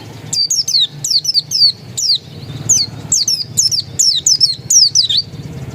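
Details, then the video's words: Oriental white-eye, pleci dakun, described as still original, sings steady repeated clusters of sharp, high-pitched, falling whistled notes, roughly two to three per second, over faint low background hum. "Suara burung pleci dakun masih asli"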